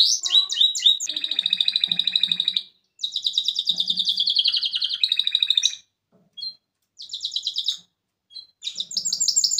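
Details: A male canary sings, a recording meant for training other birds: long, high, rapid trills and rolling tours of repeated notes, broken by short pauses and brief chirps.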